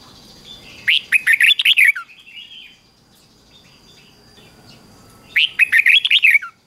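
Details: Morning song of a red-whiskered bulbul, recorded for training bulbuls: two quick phrases of bright, slurred whistled notes about four seconds apart, with soft warbling between them.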